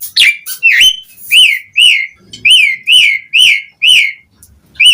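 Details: Asian pied starling singing, used to lure other starlings: a run of loud, even, arched whistles about twice a second, with a brief low rumble partway through.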